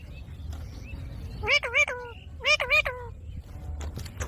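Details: A green ringneck kept as a pet speaks two paired, wavering harmonic phrases about a second apart over a faint low background noise.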